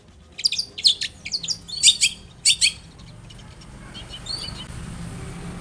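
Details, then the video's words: Long-tailed shrike singing vigorously, meant to trigger a reply from another shrike: a few seconds of harsh, scratchy chattering bursts, then fading into steady background hiss with faint high notes. "SUARA cendet gacor INI AMPUH untuk pancingan agar cendet bunyi"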